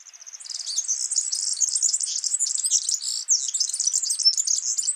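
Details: A wild yellow-fronted canary sings a continuous high, rapid twitter. It opens with a few quieter notes, then becomes a dense run of chirps and trills that stays loud to the end.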